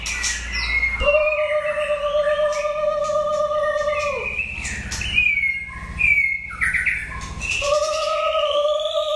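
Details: Contest-trained white-rumped shama, old and wild-caught, delivering long sustained low fluting whistles with high overtones, broken by quick chattering twitters, then another long rich whistle.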